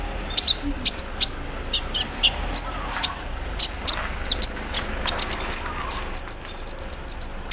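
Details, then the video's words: ["High ticking notes from an olive-backed sunbird set out in the morning dew, spaced irregularly, then breaking into a fast buzzy 'cerrr' rattle like an embroidery machine, its 'mesin bordir' filler."] "KONIN KELUAR ISIAN MESIN BORDIR, CERRR SAAT DI EMBUNKAN PAGI HARI"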